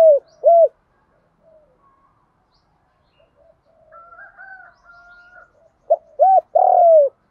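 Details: Spotted dove of 'giọng đồng' (field-style) voice calling: two arched hollow coos at the start, faint softer murmurs and a thin higher tone in between, then another clear coo phrase ending in a long, slightly falling coo.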